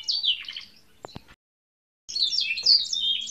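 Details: Kept canary delivering a long, vigorous gacor song: rapid high warbling phrases with quick twittering notes, broken by a couple of sharp clicks and a short silence before the fast, sweet warble resumes.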